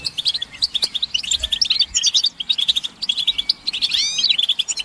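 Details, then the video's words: European goldfinches calling together, mating and readiness calls to stimulate male song: clusters of bright tinkling chirps separated by short gaps, with a few rising and falling slurred whistles near the end. "بتبتة الحسون تحفيز الحسون على التغريد والهيجان علاج صمت الحسون goldfinch stimulation"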